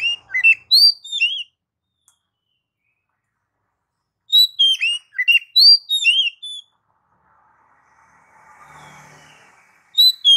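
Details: Oriental magpie-robin song in two long phrases of quick, varied whistles, trills and chirps, separated by a few seconds of quiet, with a faint rustling noise before a final short burst.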